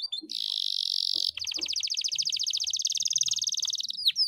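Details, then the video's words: Canary, a trained songbird kept for singing practice, delivering a long roll: a steady buzzy high trill for about a second, then a rapid even rattle of repeated notes running almost without pause to the end. "KENARI GACOR NGEROLL PANJANG"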